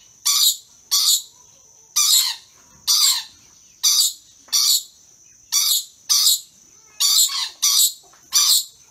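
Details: Rainbow lorikeets, a lively pair making comical dance moves, give rapid rasping high screeches, around a dozen short bursts over nine seconds, some in quick doubles, over a constant thin high hum.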